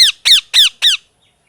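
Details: Parrot calling four times in a steady row, each note a loud, harsh chirp that slides downward, spaced about a third of a second apart, then silence.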